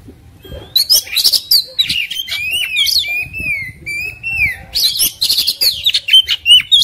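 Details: Combative Oriental magpie-robin, agitated, tail spread: harsh scratchy chatter opens, then a series of long sliding whistles that rise and fall, followed by more rapid squeaky and grating notes.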